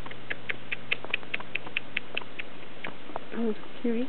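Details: Pet female quaker parrot playing under bed covers indoors gives a quick run of soft, high, clicking chirps about five per second for two seconds, then two short low, voice-like sounds.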